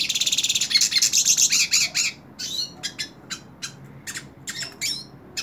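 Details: Hooded siskin held in the hand opens with a quick rattling trill and twittering, then slows to spaced, sharp high chirps and brief upslurred notes.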